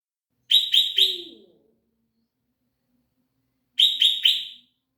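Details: Sooty-headed bulbul song of three quick, bright, slightly rising notes in a tight burst, repeated after a silence of about three seconds; a faint low chatter follows the first burst.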